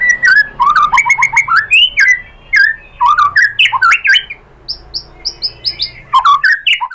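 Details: White-rumped shama song used to draw replies from other shamas: a varied, rapid medley of squeaky rising and falling notes and harsh chatters, with a brief pause before a final burst.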